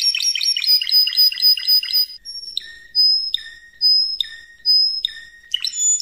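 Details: Spanish Timbrado canary song from training audio used for canaries in 2014–2015: a fast run of repeated high chirping notes, then long level whistles, each dropping to a lower note, spaced about a second apart.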